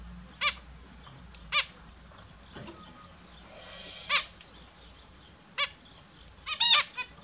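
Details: Australian zebra finches kept indoors, bathing in the morning, give isolated nasal beep calls about every second or two, ending in a faster pair of notes, over faint background noise.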